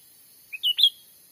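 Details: Cucak ranting lure call, used in Sumatra to bring wild birds down for trapping; one short whistled phrase of a low note and two louder clear notes, rising at the end, with steady high hiss.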